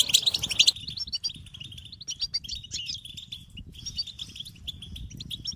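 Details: European goldfinch song for stimulating singing: a loud, busy burst of chatter at the start, then sparser twittered phrases, slurred whistles and trills over faint low background noise.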